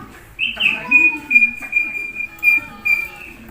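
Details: Common hill myna mimicking human voices: a series of clear whistled notes held at steady pitch, some with harmonic voice-like overtones, about six phrases in three and a half seconds over faint background hiss.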